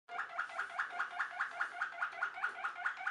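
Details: Waterslager (Malinois) canary, a Belgian song breed valued for its water-like bubbling song, delivering a steady bubbling tour of low notes repeated about four times a second in a small room.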